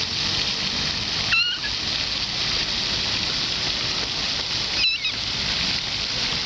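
A moorhen gives two short, sharp calls about three and a half seconds apart, nearly swamped by a steady rush of running water.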